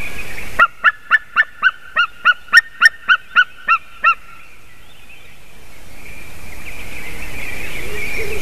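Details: A White-tailed eagle at 06:26 on 28 March 2019 gives a quick series of about thirteen sharp, yelping notes, roughly four per second, then falls silent as wind hiss rises.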